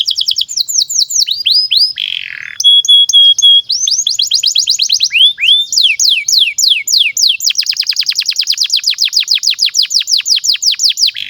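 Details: A Belgian canary sings a long, unbroken song meant as a master song for young canaries: rapid high trills and sweeping whistled slurs, a brief steady whistled note midway and a fast rattling trill at the end.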